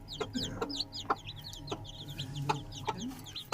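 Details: Newly hatched Aseel chicks kept at home give a busy stream of high, thin, downward-sliding peeps, several overlapping at once, with sharp knocking or tapping sounds every half second or so and a low background hum.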